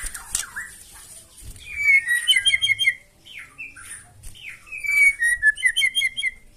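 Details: White-rumped shama singing loudly and harshly to provoke other birds into answering: bursts of whistled phrases near two kilohertz with sharp high notes above, two loud rich passages separated by a quieter gap.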